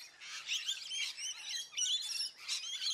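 A Painted Bunting sings a high, rapid, sweet warble of jumbled chirps in short bursts about every second, with no other clear sounds.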